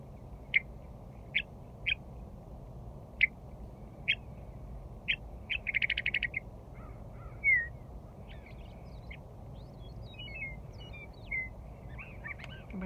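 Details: Western meadowlark returning to Rocky Mountain Arsenal National Wildlife Refuge in early spring, perched close by and very vocal: short sharp call notes about once a second, a rapid rattling chatter burst, then scattered thinner notes over a low engine rumble.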